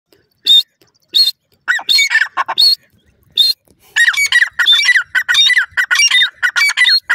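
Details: Grey francolin (white teetar), male and female, calling: a few separate harsh bursts, then a fast run of repeated squeaky, ringing notes, about eight per second, in a quiet setting.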